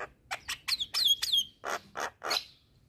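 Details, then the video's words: Singing Asian pied starling provoking neighbouring starlings: a handful of sharp clicks, then two descending whistled slurs, followed by three hoarse, rasping notes. "Burung Jalak Kebo Gacor Parah Bikin Emosi Jalak Tetangga"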